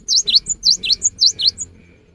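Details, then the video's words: Cinereous tit in the afternoon, singing to stir other tits into song: a rapid chain of paired whistles, with a dipping lower note followed by a high flat one, repeated about four times, then fading to quiet. "Kicau gelatik batu di sore hari ini bisa memancing gelatik lain untuk ikut berkicau"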